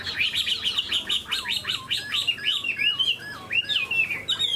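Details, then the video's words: Tame Chinese hwamei kept in a cage, tail spread and wings displayed eagle-fashion: a fast cascade of downward-sweeping whistled notes, slowing into separate looping phrases toward the end. "Chim họa mi thuần đuôi xòe, chơi cánh đại bàng cực đẹp"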